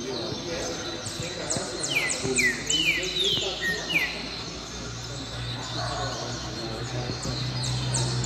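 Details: A captive Double-collared Seedeater (coleiro) sings a quick run of clear, high whistled notes, many sliding down in pitch, over a man's voice and a low background hum.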